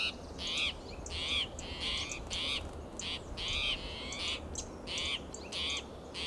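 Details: Spotted towhee sounding alarm, restless and persistent, in oak and pine woodland of Del Monte Forest, California, June morning; about ten raspy, buzzy mews in quick, slightly irregular succession, some slurring downward, with a faint low hum beneath.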